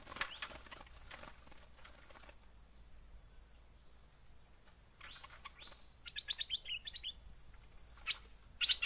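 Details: Yellow-vented bulbul lure calls: scattered clicks early, then a lively run of bubbly, falling chirped notes around the middle and a final short burst, all over a steady high-pitched hiss.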